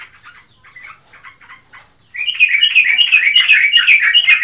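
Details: Caged yellow-vented bulbul, a pet bird said to be in breeding condition or in full song, gives a loud, dense burst of rapid chattering, warbled notes after two seconds of softer scattered chirps.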